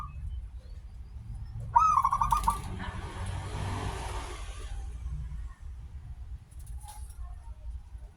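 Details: Local zebra dove, a lively singer with a long opening, used as a lure to make other zebra doves sing: one short burst of rapid stuttering coos, then a wash of broadband noise and a low background rumble.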